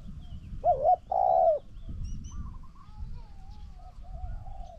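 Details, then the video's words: Decoy Spotted dove contest with a strongly cooing wild bird. One clear close coo, a quick doubled hiccup then a long wavering croon, is followed by softer, distant answering coos that trail off. Faint low background noise. "ต่อนกเขาใหญ่ นกเขาใหญ่ EP182 #เจ้าตัวตึงด่าน #มาลุ้นกับตัวตึงสู้นกป่า คูเก่งมากๆนกป่าตัวนี้"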